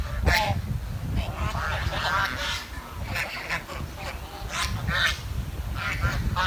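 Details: Swans in a village utter repeated short nasal chirps and honks, several birds overlapping, with continuous low background noise.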